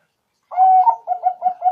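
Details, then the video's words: Zebra dove calling for trapping lure, Bangkok and local types: one long, slightly wavering coo followed by four short, evenly spaced cooing notes. "Pancingan Perkutut FULL,perkutut Bangkok,Pikat perkutut,perkutut lokal gacor"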